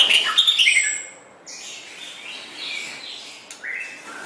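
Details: White-rumped shama song used as a training recording for songbirds: a loud burst of high, sharp chirps and whistles in the first second, then fainter scattered high notes over a hiss.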